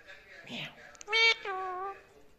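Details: Pet ringneck parakeet copying a cat's voice: a brief bright squeal, then a drawn-out, nasal meow-like wail holding steady before fading, amid soft indoor background noise.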